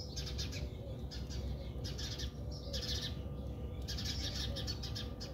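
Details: During sparrow fights in a South African backyard, house sparrows give grouped bursts of harsh, rapid high chirps. Some softer lower notes are heard underneath, with steady background rumble.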